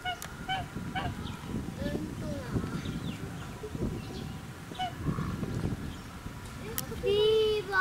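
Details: Chinese geese (swan goose) at the Hachimanyama Park animal house in Tochigi, Japan, on 30 April 2018, give scattered nasal, trumpeting honks ending with one loud, drawn-out honk, over a low rumble of wind and handling noise.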